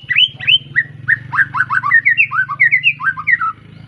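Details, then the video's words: White-rumped shama, a young bird of Arko Tangerang line kept in Petarukan, Pemalang, just out of spotted juvenile plumage, singing a lively run of short whistled notes, many rising or falling, packed several per second, over a low hum. "Kicau Murai batu lepas trotol,suaranya heboh"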